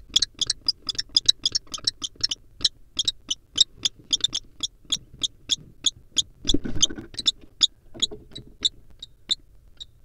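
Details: Wild common kestrels courting inside a barn owl nest box: a long fast series of sharp, high, clipped notes, some ten per second at first, slowing toward the end, with a brief rustle of movement midway.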